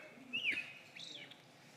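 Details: American robin recording played back in a lecture hall: two short, clear whistled notes, the first rising then dropping, the second higher and slurred down, over a faint room hum.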